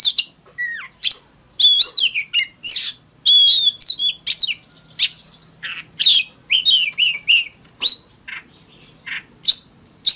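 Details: Oriental magpie-robin singing its fighting song, a long run of varied whistles, downslurred notes and buzzy chatter in rapid sequence with short gaps, loud and steady for the whole stretch.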